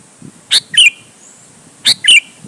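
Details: Sooty-headed bulbul calling to provoke other bulbuls to sing back: two brief phrases about 1.3 seconds apart, each a sharp high note followed by a bubbly downslurred whistle, in a quiet setting.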